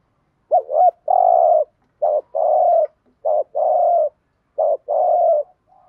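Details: Spotted dove cooing to lure wild doves, in calling, urging and soft coo styles: four quick phrases, each a short dipping note then a longer steady coo, spaced about a second apart.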